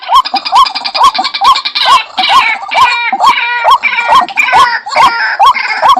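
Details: White-breasted waterhen giving repeated rising, metallic notes at a brisk, even pace. A continuous buzzy, harmonic chattering overlaps the whole series.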